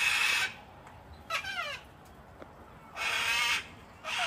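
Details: Hand-fed wild cockatoos crowding an Australian home deck in wet winter cold: harsh screeches open and close the sequence, with a quick downward-sliding squawk in the gap.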